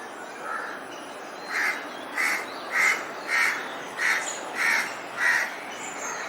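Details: A crow about to build a nest gives one faint caw, then seven loud, rasping caws spaced about half a second apart, steady and insistent.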